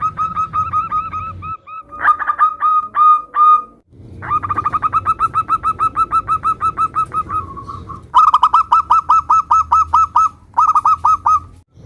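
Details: Zebra dove, local bird in lively song used to provoke answering doves: long unbroken run of rapid staccato coo notes, then louder bursts of hooked whistles, with a low rumble throughout.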